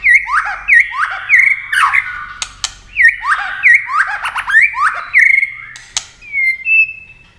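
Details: Fast competitive song of a white-rumped shama, wings flicking and tail moving: repeated swooping whistled phrases with rich harmonics, interspersed with sharp clicks, ending in a steady high whistle.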